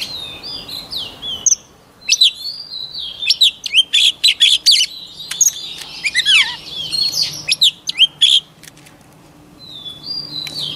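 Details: Voice-training song of a white-rumped shama: long, varied outpouring of sharp chirps, rapid clicks and sliding whistles, including one deep downward sweep, ending with a quiet gap and a final whistled phrase.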